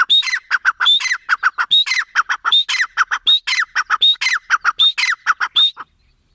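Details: Grey francolin calling in a brisk series of strident phrases, a clear high note followed by several harsh descending syllables, repeated about every 0.7 seconds before stopping near the end.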